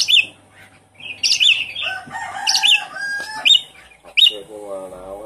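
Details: Javan pied starling lure song to make a bird that has stopped singing call again: repeated sharp whistled notes with rasping chatter, ending with a lower, drawn-out harmonic call.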